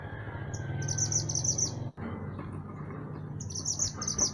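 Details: Mantenan gunung singing high, quick chattering trills in a lively run, breaking off briefly and then resuming. Meant as a master recording for teaching other songbirds. A constant low rumble sits underneath.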